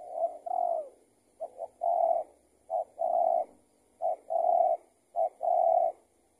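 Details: Spotted dove being trapped with a decoy; the target turned out to be an escaped tethered trapping bird. Repeated coo phrases: quick doubled short notes, each followed by a longer, steady hollow coo, roughly every second.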